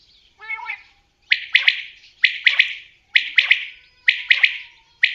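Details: A common quail opens with a low, nasal, growling note, then gives crisp triple-pulsed high calls, one phrase roughly every second, with nothing else audible.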